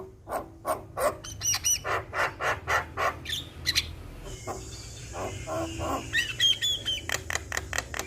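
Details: Jalak kebo (Javan myna), a tireless champion singer, giving evenly spaced clipped notes, a noisy buzzy stretch, then looping high whistles and more chips.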